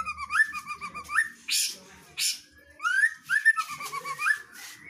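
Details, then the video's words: Female white-rumped shama in full, lively ngeplong song: lower swooping whistles and rolling notes, interrupted by loud, harsh noisy bursts, then further rising slurred phrases. "MB betina GACOR sampai AKHIR"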